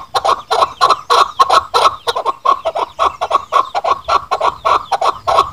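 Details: Chukar partridge lure call for hunters: a fast, insistent series of loud clucking chuk notes, some doubled, repeated about three times a second throughout.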